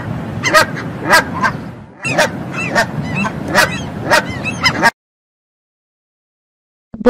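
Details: Canada geese give a rapid series of loud, nasal honks, roughly two or three a second for about five seconds, over a low rumbling background.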